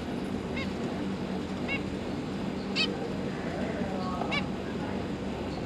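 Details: Zebra finches, a parent pair and their three young juveniles that have just left the nest, recorded 31 October 2022: four widely spaced, brief nasal beeps rising out of a constant low hum.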